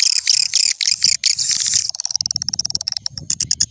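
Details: Old-style lure for attracting swiftlets: loud high chattering pulses for two seconds, then a quieter, rapid stream of short ticking chirps.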